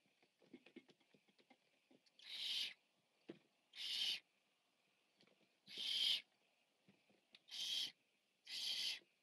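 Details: Barn owl nest, 14 September 2015: the biggest owlet, while eating, gives five harsh, hissing screeches, each about half a second long and one to two seconds apart, with soft scuffling and clicking between them.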